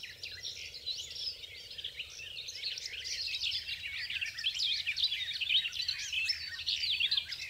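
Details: Garden warbler filmed from a distance, singing a long, rapid, continuous warble of rich scratchy and fluting notes without clear breaks, over a faint low hum.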